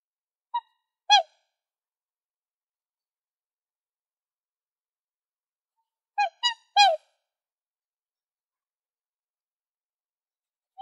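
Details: Black swan calling: a single short, musical bugled note, then a soft one, then a quick group of three ringing, slightly downslurred notes. Long silent gaps separate them, with another brief note at the end.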